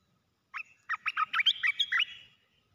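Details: A decoy red-whiskered bulbul kept in a cage and placed on the ground, displaying restlessly, gives a single bright phrase of roughly eight quick chirped, slurred notes lasting about one and a half seconds.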